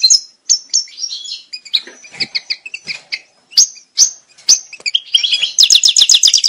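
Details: European goldfinch song meant to bring birds into breeding condition: scattered sharp high chirps and short twitters at first, building toward the end into a rapid, rhythmic burst of tinkling trilled notes.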